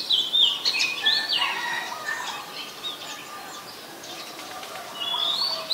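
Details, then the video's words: Song of an Oriental magpie-robin at Ubon Ratchathani, Thailand, 14 October 2021, recorded with a Nikon P1000. Quick, high whistled notes open the clip, then a quieter stretch, then a single clear whistled phrase at the end. "นกกางเขนบ้าน Oriental Magpie Robin (singing)"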